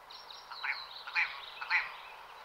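Willow ptarmigan giving three harsh, croaking notes about half a second apart, over a thin, steady high whine in the background.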